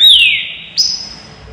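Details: Green-winged saltator singing on a flight stand, caged: one loud whistled note gliding down, followed by a thin high sustained whistle after a short pause.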